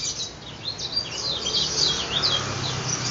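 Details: Yellow-eared spiderhunter in lively voice, billed as a future contest champion: a continuous run of very high, sharp chirps and quick up-and-down slurred notes, fast and irregular, over a low steady hum.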